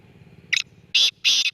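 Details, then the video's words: Black francolin calling loudly at close range: a short high note followed by two longer, harsh, grating bursts, the rasping three-part phrase standing out against near silence. "kala teeter ki awaz"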